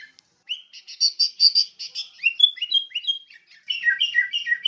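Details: Song of a sooty-headed bulbul: a rapid series of buzzy, chattering notes, followed by clear whistled phrases that step and slide downward, then more quick bubbly chirps.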